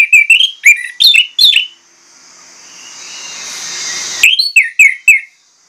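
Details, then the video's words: Orange-headed thrush giving clusters of short, bright chirps and whistled slurs, then a couple of seconds of hiss, then another series of four or five rapid whistled notes. "PANCINGAN ANIS MERAH PLONG NGOTOT BONGKAR ISIAN"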